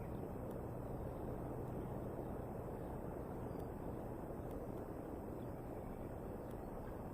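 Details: Steady low rumble of outdoor background noise with a few faint clicks, and no animal voice heard.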